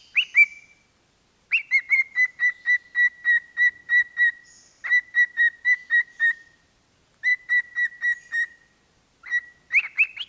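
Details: Pet parrot singing on a microphone in clear whistled phrases: evenly spaced short whistles on one pitch, repeated in runs of about eight, separated by brief pauses.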